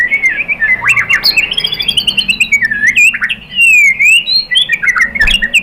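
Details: Lure song of a white-rumped shama, played to provoke a caged shama into answering: loud, varied whistles sliding up and down, interrupted by sharp high chips and buzzy trills in a continuous, energetic flow.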